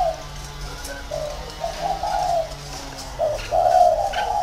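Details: Caged spotted dove used as a decoy, in a round cage, cooing softly in low, drawn-out phrases over a hiss of background noise, with louder coos near the end.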